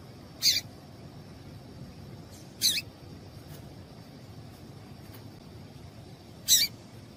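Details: Female yellow-bellied seedeater call, meant to get a male singing quickly: three short, harsh, scratchy chip notes at about 0.5, 2.7 and 6.5 seconds, separated by long gaps, over a faint steady high hum.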